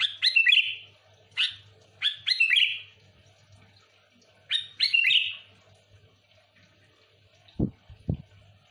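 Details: Song of a sooty-headed bulbul used to attract other bulbuls: several bubbly whistled phrases, each sliding downward, in clusters a few seconds apart, then two dull low thumps near the end.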